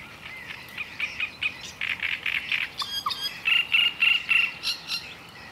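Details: Calls of a black-necked grebe: a chattering string of high, buzzy notes repeated roughly every quarter second, breaking into thin whistled notes, against a quiet background.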